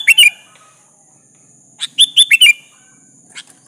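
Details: Kutilang, the sooty-headed bulbul, singing to provoke a rival to respond: a quick phrase of bright, descending bubbly notes, a pause, then a fuller four-note burst and a soft trailing chirp.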